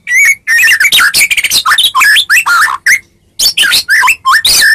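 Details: Fighting-lure song of a Medan white-rumped shama meant to draw a reply: dense, rich, fluty whistled phrases rising and falling, delivered in quick succession with a brief pause midway.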